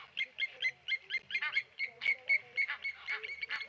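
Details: Blacksmith lapwings dive-bomb a Tawny Eagle at Okaukuejo waterhole, Namibia. Several birds call together in an excited, uneven series of sharp metallic 'klink' notes, about four a second.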